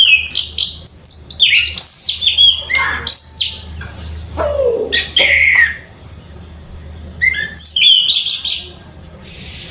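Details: Orange-headed thrush kept in a cage, in lively full song: bright whistled phrases that rise and fall, mixed with harsh chattering bursts and brief pauses, over a constant low background hum.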